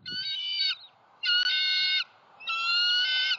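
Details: Hungry bald eaglets in a southwest Florida nest on 6 February 2021, during sibling aggression before the male brings roadkill rabbit; three long, steady, piercing whistled squeals, each under a second, separated by brief pauses.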